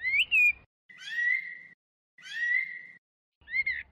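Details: Chinese hwamei giving a slurred whistle, then two drawn-out level whistled notes with softer buzzy overtones, separated by silences, ending with a brief twisting note.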